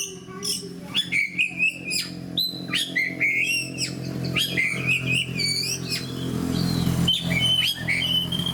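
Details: Fighting oriental magpie-robin (kacer) kept in a cage: clusters of sharp descending chips and short whistled slurs repeated quickly, loud at first then softer, with a steady low mechanical hum and background noise.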